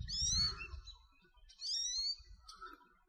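An American goldfinch gives two high, thin, sweeping calls about a second apart, each wavering up and down, over a low rumble of background noise.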